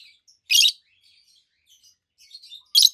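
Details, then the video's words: Green peach-faced lovebird pair, one bird red-faced and the other yellowish white-faced, letting out a loud, harsh screech, quiet soft chirps, then another piercing screech at the end. "Lovebirds Sounds - Peach-faced Lovebird"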